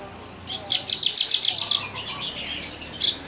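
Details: Caged mottled Javan bush lark in full, vigorous song: rapid runs of high, sharp chirps repeated several times a second, with a few faint lower whistled notes underneath.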